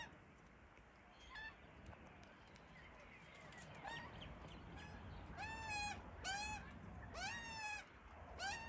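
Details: Australian magpie chicks begging for food in a tree where their parents feed them. After a quiet, noisy start, several clear, ringing, bent cries arrive in quick succession over a steady background hiss.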